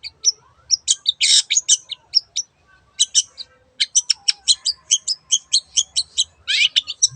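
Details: Vigorous long-tailed shrike song: crisp high chips interrupted by harsh buzzy bursts, then a rapid, even run of sharp notes and a final raspy burst.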